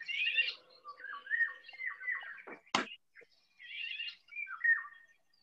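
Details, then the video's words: Eurasian golden oriole song, very flute-like and attention-grabbing, sometimes imitated by blackbirds: several fluty whistled phrases broken by a sharp loud click near the middle, with a faint low hum in the room. "como veis tiene un canto súper aflautado, o sea, la verdad es que llama la atención."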